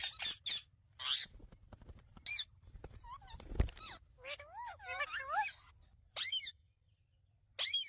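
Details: Pet Indian ringneck parrot talking with its owner, giving an answer; wavering, warbling speech-like phrases with rising and falling pitch, between short bursts of harsher sound, then a pause.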